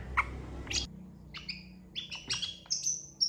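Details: Mimicking long-tailed shrike song, meant for training other shrikes: quieter at first, then a series of short whistled notes, some doubled, rising into clear high pure whistles at the end over a soft low hum.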